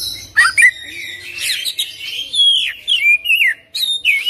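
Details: Oriental magpie-robin in full isian ngerol gacor song. Sharp whistles open it, followed by scratchy chatter, then a series of clear descending whistled slurs and a final level whistle.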